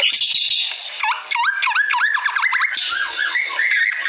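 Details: White-rumped shama song from a masteran training recording: loud whistled notes in a rapid chain of rising-falling U-shaped slurs, then sweet upward-sliding whistles over a hissy, buzzy high background.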